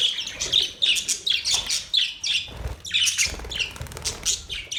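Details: Budgerigar chirping: dense, continuous high chatter of short scratchy chirps and squawks, several overlapping bursts per second, with faint low thumps underneath.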